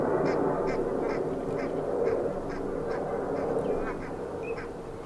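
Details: Pied avocets, two birds foraging in the Hempolder at Akersloot, Netherlands, on an April 4 Tuesday evening; short clipped notes repeated about three per second in a steady run over a dense low murmur of other waterbirds.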